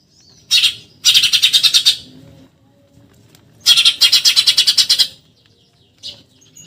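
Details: Rapid nyerecet chattering of a Eurasian tree sparrow, recorded for tutoring contest birds: a brief note, then a fast buzzy rattle, a long quiet gap, another dry rattle, and a final short chip.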